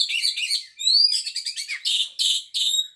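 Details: White-rumped shama singing a fast, varied, high-pitched phrase of rich warbled notes, clear rising whistles and buzzy chattering bursts, continuous for about three seconds.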